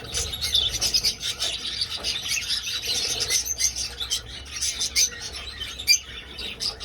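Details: A crowd of budgerigars flying around an old aviary: rapid, clicking chirps and scratchy warbles layered thickly, with a few louder sharp notes near the end.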